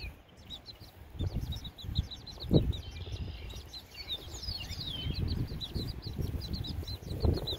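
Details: Baby chickens outside on a windy day peep constantly with thin, high, rapid chirps. Gusty wind roars and buffets underneath.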